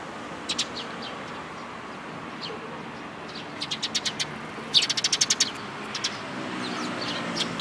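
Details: Sparrows, parent birds and chicks, 19 May 2018: after a quiet stretch with a few chirps, a quick burst of about ten loud high chirps, then softer scattered notes.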